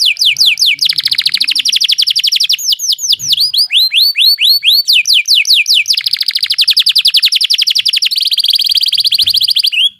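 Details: Canary in energetic rolling song, played as training audio to coax quiet canaries into rolling: long rapid high trills and runs of sharp upswept whistles, changing tempo every few seconds, with almost no background sound.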